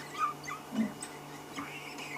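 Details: A hidden flock of wattled starlings high in a tree on an evening safari drive, near a breeding buffalo herd, gives faint, squeaky whimpering notes like a litter of puppies, in quick scattered bursts over a low steady engine hum.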